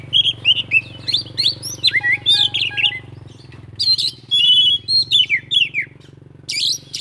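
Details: Oriental magpie-robin (kacer) delivering a full isian-style song: rapid run of varied whistled notes, slurs and short trills with brief gaps, over a steady low hum throughout.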